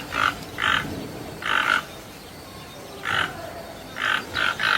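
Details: Toucan uttering hoarse croaks, several given in quick pairs, with gaps of about a second between groups.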